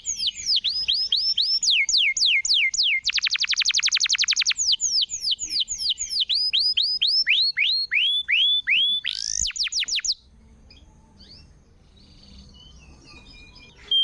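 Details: Canary lure song for a canary that has gone quiet: long varied sequence of sweeping slurs, a dense buzzy roll, hooked whistles and a rising flourish, then about four seconds of near silence.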